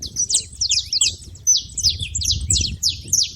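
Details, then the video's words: Short burst of saffron finch noise at a feeder: bright, high, slurred chirps tumbling quickly one after another, with low background rumble. "canário da terra fazendo barulho na seva"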